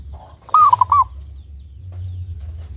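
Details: Single cooing phrase from an eager, clear-voiced local zebra dove in Indonesia, used as a lure for other doves: a loud sustained note breaking into two short coos, followed by quiet low hum.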